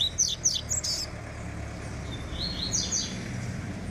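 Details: Double-collared seedeater warming up, giving a quick string of high, sharp chirps and slurred whistled notes, then a softer buzzy phrase after a short gap, over a steady low rumble of background noise.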